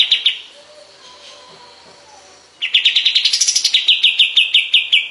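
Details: {'text': 'Sooty-headed bulbul (kapas tembak) master recording, used to teach other songbirds: a short high chattering burst, a quiet pause, then a fast run of sharp repeated notes that rise briefly before levelling off.'}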